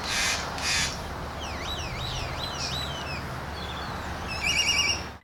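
Great-tailed Grackle: two harsh, hissing bursts, then a run of looping, laser-like whistled glides and a final ringing, metallic rattle, over a low traffic rumble.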